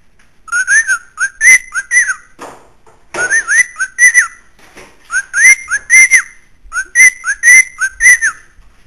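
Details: Caged pet bird upstairs in an Illinois house whistling in three bursts, each a string of four to six clear notes that rise and dip, with a brief rough rustle between the first two bursts; quiet room.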